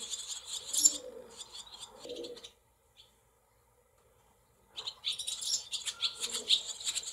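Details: Nestling barn swallows in a cowshed with several nests, July 2024: dense bursts of thin, shrill squeaking cries for about two seconds, a silent pause, then another longer bout, with soft low cooing underneath.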